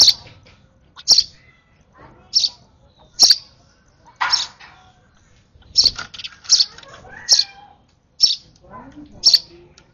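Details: Sparrow chick fed by hand calls excitedly, repeating about a dozen bright, clipped high cheeps across ten seconds, with faint rustling and a brief lower squeal in the background.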